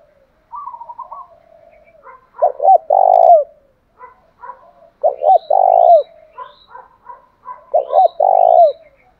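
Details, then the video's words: Spotted dove (cu gáy) of the "thổ" voice type gives deep, rolling cooing phrases about every three seconds, with softer, higher chirps between the phrases. "cu gáy giọng thổ pha/ cu gay kich boi nhanh noi gù"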